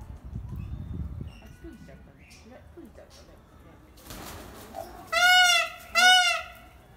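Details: Peacock calling while holding its fan open in a long display. Two loud, harmonically rich wailing calls come in quick succession near the end, after people talking quietly and low background rumble.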